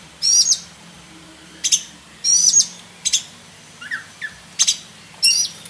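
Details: Black-breasted oriental magpie-robin singing a full, varied song suited for tutoring other birds: sharp high whistled notes and quick sweeping phrases in short bursts roughly every second, with faint low background hum.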